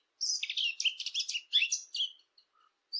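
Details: A Eurasian blackcap, offered as a hunting-caller recording, delivers a fast, dense, scratchy warble of tightly packed notes lasting about two seconds, then one short high note after a gap.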